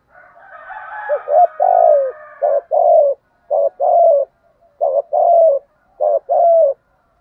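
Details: Spotted dove, "thổ gù thúc" lure voice used to prompt cooing: after a soft rising warble, a steady series of mellow coos in pairs, short then long and falling, repeated about every second.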